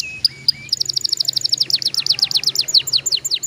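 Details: Canary song aimed at making young canaries sing quickly: two short whistles, then a steady fast trill of downslurred notes, loud and bright throughout.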